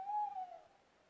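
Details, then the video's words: Owl recorded in Europe giving a single clear, steady hoot held for just over half a second, slightly falling at the end and fading out, over a quiet background. "What is the owl making the sound?"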